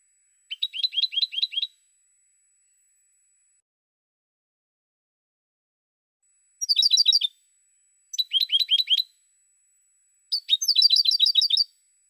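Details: Jilguero song recorded in 2016: four bursts of rapid, tinkling twitters, the first alone, then three close together after a long silence, the last phrase fullest and busiest.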